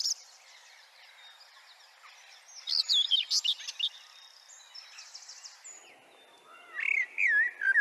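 Common whitethroat gives two short, scratchy, chattering warbles about four seconds apart, high-pitched and hurried, over a soft background hiss.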